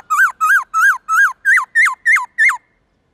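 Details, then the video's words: Black-throated laughingthrush singing a varied wild-type morning song, eight rich, arched whistles about three a second, shifting higher and falling more steeply toward the end, with no other sounds. "Khướu bạc má hót giọng rừng nhiều giọng buổi sáng/luyện khướu non học giọng rừng"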